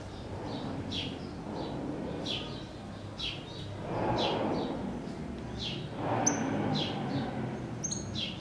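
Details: Singing cattle tyrant giving a steady series of short downward-slurred chirps, several per second, with a few sharp very high ticks near the end and a murmuring low background.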